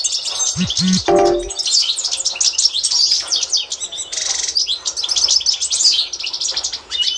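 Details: Tutor song of an authentic Constantine goldfinch for training birds, 2024: a few low hollow notes at the start, then dense sparkling twitters, metallic trills and buzzy bursts continuing to the end.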